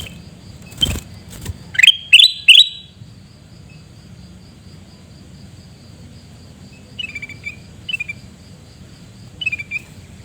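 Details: Kutilang emas, the sooty-headed bulbul, screeching in Reului, Pidie, Aceh: a sharp knock, then three loud grating bursts in two seconds, followed by softer, spaced downslurred scratchy notes roughly every second.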